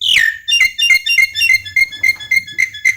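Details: Javan myna singing to coax silent mynas, mblegedeg style: a downward-sliding whistle, then about a dozen short clear whistled notes repeated roughly four times a second.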